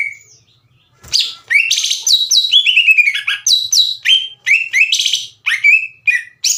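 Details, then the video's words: Green leafbird song played to stir the aggression of rival birds so they reply: after a short quiet start, a fast varied stream of bright whistles, trills and slurred phrases. "MASTERAN DAN PANCINGAN CUCAK IJO LAMBAT PANAS UNTUK MEMICU EMOSI LAWAN AGAR GACOR"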